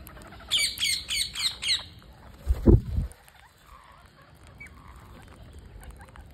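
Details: A parakeet at feeding time gives five quick, harsh, raspy squawks in just over a second, followed by a low thump and quiet rustling.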